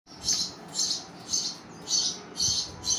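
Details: Hungry baby birds begging: high, harsh hissing chirps in bursts about every half second, six pulses in a steady rhythm, recorded close up indoors.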